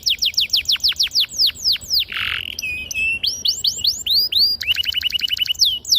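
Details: Singing canary used to stimulate young canaries to learn their song: clear downward-sweeping whistles repeated rapidly, a short rasp, then rising slurred notes and a fast, sharp trill.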